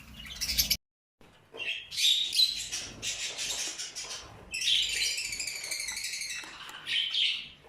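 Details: Several purple lutino mutation rose-ringed parakeets squawking and chattering together in a continuous raucous tangle of harsh, grating notes, with a brief gap early on.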